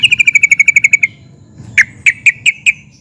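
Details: Excited song of a sooty-headed bulbul, ngeplik and ngerol style, used to provoke answers from other bulbuls; a rapid run of about twelve notes, a pause, then five separate loud clipped notes.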